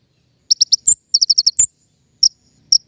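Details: Brief king konin lure call for trapping birds: a fast run of high chirps, a sharp upswept note, another quick chirp series, then two isolated notes.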